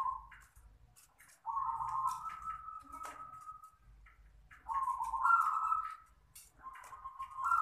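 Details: Zebra dove of a local strain, described as small-voiced, giving long purring coos that hold a steady middle pitch and then lift, three main phrases spaced roughly three seconds apart, with faint clicks and room hum behind.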